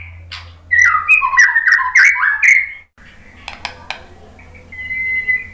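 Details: White-rumped shama song used as a lure to provoke another bird into singing: loud, rich whistled phrases sliding and warbling, then a pause, a few sharp clicks and a thin sustained whistle.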